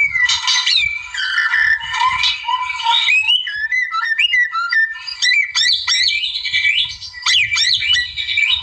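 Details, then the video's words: White-rumped shama in full rival-provoking song: rich fluty whistles and buzzy chatter give way to fast, sweeping up-and-down notes and quick repeated phrases, loud and continuous throughout. "MASTER KICAU GACOR MURAI ALAM NARIK LAWAN"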